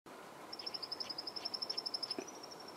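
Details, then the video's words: Red-winged lark calling in Pune: a rapid, even train of thin high notes, about ten a second, running into a short drawn-out whistle over soft background hiss. "Red-winged Bushlark"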